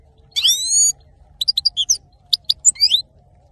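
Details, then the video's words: Singing male saira goldfinch gives a drawn-out nasal note followed by a scatter of sharp chirps and rising whistled slurs, with a faint low hum behind. "male saira gold finch singing"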